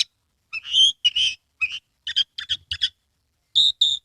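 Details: Captive Oriental magpie-robin from Kebumen, Central Java, singing energetically with its tail spread. It gives bright, clear whistled notes in short separate bursts, some steady and some broken, with brief pauses between phrases.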